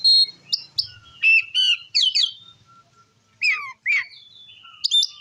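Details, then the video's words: Oriental magpie-robin in steady ngeplong song to rile other magpie-robins: crisp whistles and sharp downslurred notes in quick bursts, with a faint steady tone between phrases. "Suara Kacer Gacor Ngeplong Ampuh Memancing Emosi Kacer Lain"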